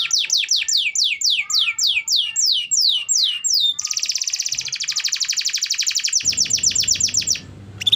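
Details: Gacor (constantly singing) canary song for stimulating reluctant singers: steady high swept notes give way to a rolling, buzzy trill lasting several seconds, ending with low background noise.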